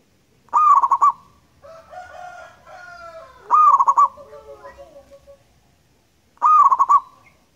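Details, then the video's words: Local wild zebra dove (perkutut) singing actively, used as a lure: loud, rapid bursts of rolling pulsed coos recur about every three seconds, with softer drawn-out tonal notes sliding downward between them. "PERKUTUT gacor"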